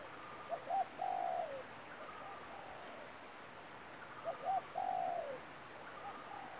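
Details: Spotted dove used as a lure for trapping, giving soft low cooing phrases of a couple of short notes followed by a longer drawn-out coo, repeated twice about three seconds apart, with a faint high steady hiss.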